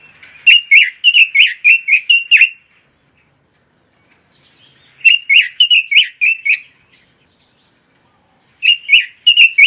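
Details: Pekin robin song, recorded as long-play tutoring and competition-training material for this imported cage bird: three lively warbled bursts of rapid, rising-and-falling notes, the first about nine notes long, with quiet pauses of about two seconds between them.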